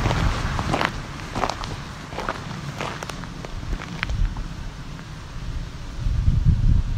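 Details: Footsteps crunch steadily outdoors over a low, rumbling background with scattered sharp clicks and a faint murmur of speech, with no clear animal calls.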